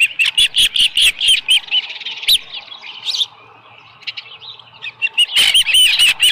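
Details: Osprey calling at Dunrovin Ranch nest, 7:10 a.m., 13 July 2018, a small live fish delivered; strings of shrill chirps, a quiet lull, then loud chirping again.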